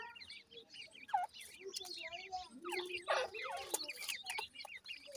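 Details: Grey francolin (dakhni teetar) chicks calling at the nest: many short, squeaky chirps rising and falling in pitch, overlapping in rapid succession, with a few lower, drawn-out notes near one and three seconds over faint rustling.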